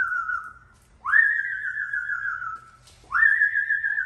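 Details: Caged pet Amazon parrot serenading to get its door opened, giving long steady whistles that rise sharply at the start and hold with a slight waver before sliding down, three phrases heard indoors.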